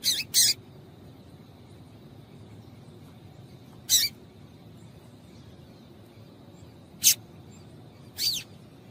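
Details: Female yellow-bellied seedeater calling to stimulate males: a quick double chip, then three more single high, sharp notes spread out at irregular intervals, over a faint hum.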